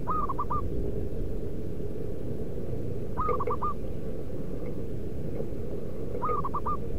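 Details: Local zebra dove calling in the wild, recorded for luring doves: three soft hooting phrases, each a drawn-out first note then rapid clipped notes, roughly every three seconds, with constant low-pitched ambient rumble.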